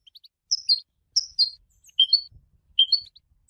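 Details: Goldfinch song used for song training, a way to announce presence and attract females: short bright chirped notes in pairs and clusters, high and sharp, with a new phrase about every three-quarters of a second in a quiet setting.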